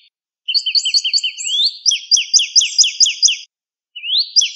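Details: Northern cardinal song on a recording used to train cage birds: quick series of clear downslurred whistles, then a second run of about eight sliding notes, a pause and a final rising slur, in a quiet background.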